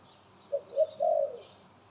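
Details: A pet dove cooing: two short low coos leading into a longer rolling coo, while another bird gives thin, high, rising whistles repeated four times in the background.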